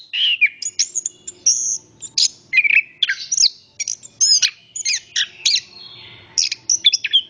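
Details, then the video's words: {'caption': 'Orange-headed thrush singing a lively string of high whistles and chattering notes. Rising and falling slides are mixed with rapid clicks and trills, and a soft low hum runs in the background.'} "Anis kembang Istimewa Gacor banget ,suara burung"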